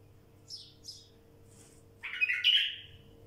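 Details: A wild bulbul gives two thin high chirps, then a loud rich warbling phrase lasting about a second, over a soft steady hum.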